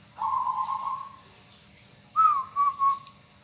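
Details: Zebra dove of a local strain gives a soft rolling trill held about one second, followed after a pause by a bright stuttered coo in three quick beats.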